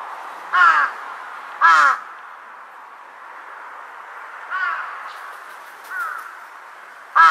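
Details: A Large-billed crow trading calls with distant crows on 2 September 2022; two loud close harsh caws, then fainter far-off caws answering a few seconds later, and another close caw at the end.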